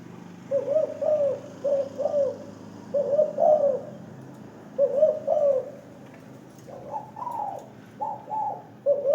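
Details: Spotted dove (terkukur), an aggressive caged bird in a hanging cage, calling often: low, rolling coos in short bursty phrases, repeated with brief gaps over nine seconds, plus faint background hiss.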